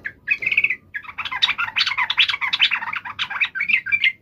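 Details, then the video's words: Yellow-vented bulbul giving an agitated fighting call meant to provoke other birds into answering; dense, overlapping chatter of short bubbly notes, unbroken after a brief opening phrase, with a faint low hum underneath. "trucukan gacor CUK EMOSI NGALAS TARUNG ROPEL ini MENJADIKAN agar burung trucuk gacor NYAUT SEKETIKA"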